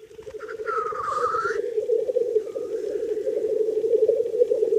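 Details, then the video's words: Black grouse males at a spring lek, where males compete for females, keep up a continuous low, bubbling, dove-like rookooing chorus, with a brief higher hissing note early on. "Тетеревиный ток"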